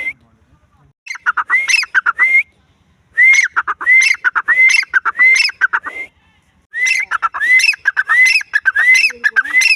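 A grey francolin calls in three loud bursts, each a quick run of harsh notes and ringing upslurred whistles repeated about twice a second.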